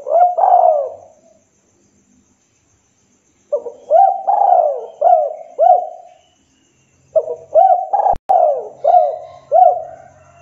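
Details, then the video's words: Local spotted dove challenging a rival with bouts of repeated coos: a single phrase, then two runs of four to five short, falling coo notes in quick succession, separated by pauses, with one sharp click. "Tekukur Lokal Gacor Memanggil Lawan sekali dengar Derkuku Lain LANGSUNG NYAUT"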